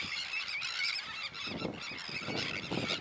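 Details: Many Sandwich terns calling at once, a steady wall of rasping, scratchy cries with some clearer upslurred notes, over a low background rumble that swells twice.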